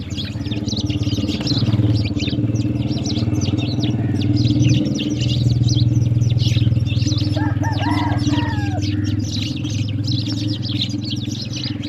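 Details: Sparrows at water in the morning chirp in a rapid, scattered stream of thin high notes, partly drowned by a loud low vehicle rumble, with a brief clearer cluster of calls midway.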